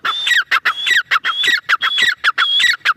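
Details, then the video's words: Grey francolin hen calling at close range: harsh squealing phrases, each with a thin high whistled note sliding into lower falling squeaks, repeated about twice per second. "Dakhni teetar awaz | teetar voice | female teetar sound | teetar ki boli"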